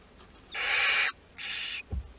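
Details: Western barn owl at a nest box in Théding on 22 August 2021 while chicks of the second brood hatch; two raspy, breathy hissing screeches, the first about half a second long and stronger, then a soft thump.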